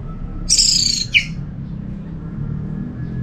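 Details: Orange-headed thrush from Singaraja, Bali, played to set other thrushes singing: one high, thin, slightly descending whistle lasting about half a second, followed by a short lower note, then quiet with a low hum.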